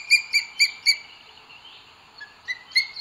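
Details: Booted eagle at a nest in Sierra de Guadarrama, Spain, 2 June 2022, as the male brings food for the female: four shrill, high, clipped notes, a pause with soft peeps, then more sharp calls.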